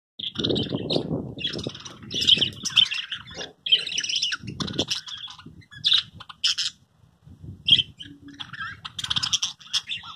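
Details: A flock of 53 adult budgerigars at a breeding farm chatters with rapid, scratchy chirps and warbles, overlapping almost without pause.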